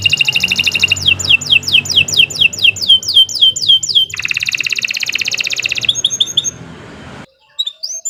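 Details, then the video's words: Lively long canary song used as a lure for other canaries: rapid downslurred whistles, then a sustained buzzy trill and scattered high notes, fading to near silence before a few final chirps. "Kicau Burung Kenari 148 II LUAR BIASA GACOR PANJANG Cocok untuk Masteran"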